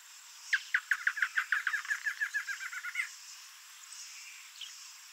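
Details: Male Double-collared Seedeater, free in the wild, gives a quick series of about fifteen bright, clipped notes near one pitch, speeding into a short buzzy trill; faint notes follow.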